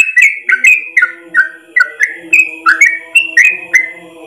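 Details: Yellow-vented bulbul tutor song in ropel style, long in one breath; choppy, bubbly whistles rising and falling in rapid succession over a faint low steady hum in the background.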